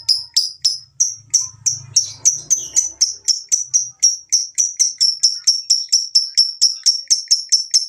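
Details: Lovebird ngekek chatter meant to spur other lovebirds to sing: a fast run of sharp, high chips, about four per second, speeding into an unbroken rattling trill, with a faint low hum early on.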